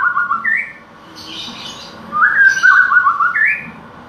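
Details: Murai batu with canary fill uttering fluid, rising whistles mixed with brief rasping bursts in separate phrases, with a gap of quiet background hiss between them.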